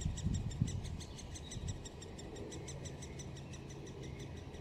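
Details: Great spotted woodpecker nestlings at Solleveld, 26 May 2018, chatter encouragingly while the parents come to feed them. A fast, steady stream of high, dry ticks runs about four a second over a low background rumble.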